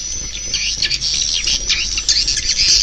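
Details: Shrill swiftlet chatter, quick high twitters and squeaky notes running together from a group of birds.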